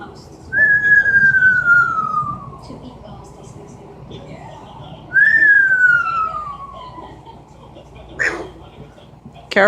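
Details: Pet Amazon parrot indoors repeating a falling bomb imitation: two long whistles each gliding downward for about two seconds, then short sharp squawks near the end.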